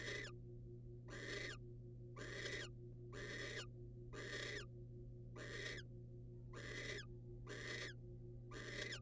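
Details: Wild barn owls as the male brings a rodent to the female: harsh, hissing broadband screeches, each about half a second long, repeated roughly once a second in an even series over a steady low electrical hum.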